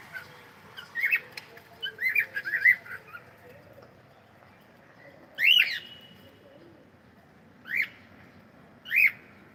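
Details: A cockatiel gives a cluster of quick chirps, then three louder, separate rising whistled calls spaced about two seconds apart against a quiet background.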